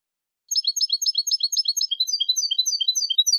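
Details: Clean cantada enlazada of a European goldfinch, Mazagan school, with two changes: a burst of rapid buzzy twittered phrases gives way to a looser sequence of high, sliding chirps, with no background sounds.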